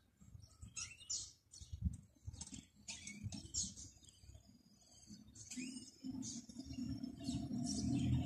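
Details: Canary (Serinus canaria) training song: bright, high bursts of chirps and quick trills, several each second, over a steady low rumble of background noise.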